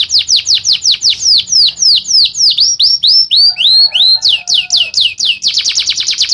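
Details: Male canary song meant to instruct young birds: a run of repeated high down-slurred notes, some swooping whistles, then a fast dense trill at the end.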